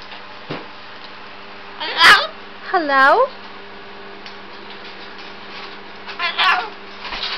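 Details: A pet cockatoo in a silly mood, talking in its cage indoors, gives three hoarse, wavering talking bursts a few seconds apart, one a drawn-out, meow-like wail, over a steady low indoor hum.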